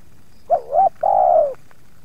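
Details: One cooing phrase of a spotted dove challenging wild doves near its yard: two quick soft coos, then a sustained coo that slowly drops in pitch.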